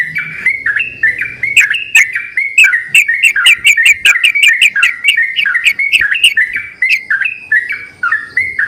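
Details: Yellow-vented bulbuls singing loudly and answering each other, used as a lure recording: bubbly, gurgling phrases of short warbled notes repeated rapidly, with overlapping voices and scattered sharp clicks.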